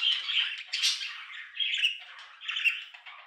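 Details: Budgerigar calls: continuous warbling chatter with scratchy squawks and short chirps, mostly high-pitched, overlapping phrases without clear pauses.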